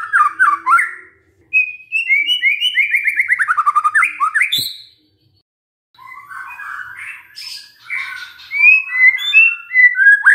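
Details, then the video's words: Song of a magpie-robin used to provoke a silent bird into answering: a fast, descending series of chattering notes, a brief gap, then scattered varied chirps and whistles building again. "murai BENGONG langsung NYAUT dengar pancingan ini"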